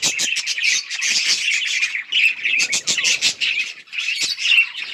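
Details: Budgies chirping while playing together on October 30, 2023: a nonstop flock chatter of quick, high twittering notes, broken by short pauses and bright clicking chirps.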